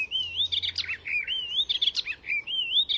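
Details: Icterine warbler from Fysingen, Sweden, known for copying other birds: high wavering whistles rising and falling in a looping pattern, interspersed with harsh scratchy bursts, repeated three times.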